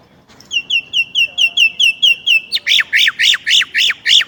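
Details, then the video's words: Chinese blackbird delivering a string of thin, steady whistled notes that switches into loud, repeated downward-sweeping chirps, about three per second. "烏鶇(黑鶇)的叫聲/Sound of Chinese Blackbird"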